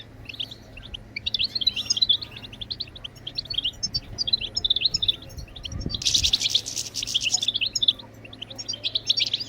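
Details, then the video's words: European goldfinch song to stimulate birds to sing: continuous busy high twittering, with a burst of harsh broadband noise midway and a steady low hum throughout. "بتبتات الحسون لتحفيز الطيور على التغريد بتبتات تجنن الحسون وتجعله يخرج كل التغاريد المخفية"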